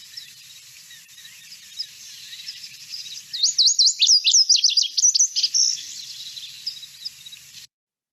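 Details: Lazuli Bunting in the Boise, Idaho area gives one quick, tinkling, musical song of high, varied notes, many in pairs, lasting about two seconds over a steady background hiss.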